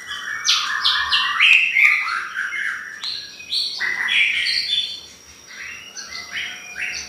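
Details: Lure recording of white-rumped shama song to provoke other birds: rich whistled and chattering phrases, notes stepping up and down in quick bursts, with a thin steady high hum underneath.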